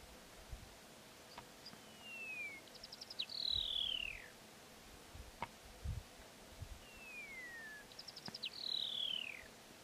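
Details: African rock pipit in the Eastern Cape, South Africa, gives a thin falling whistle, a few quick ticks, then a louder slurred downward note, repeated about five seconds apart over soft low thumps.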